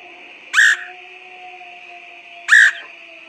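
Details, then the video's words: Lure call of a woodpecker: two loud, clear, slightly descending whistled notes about two seconds apart, with a steady high tone and faint low hum behind. "PIKAT BURUNG PELATUK SUARA PANCINGAN"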